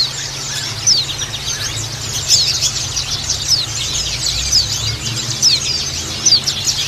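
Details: Female white-eye calls mixed with a flock of white-eyes, dense, high, thin chirps and quick twittering notes that overlap constantly over a low steady hum.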